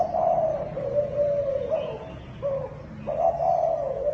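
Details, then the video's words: Deep, level hooting from a Thai dove, stimulation call for newly caught birds; a long coo slowly falling in pitch, a brief note, then another steady sustained coo. "Tiếng Chim Cu Thái Kích Bổi"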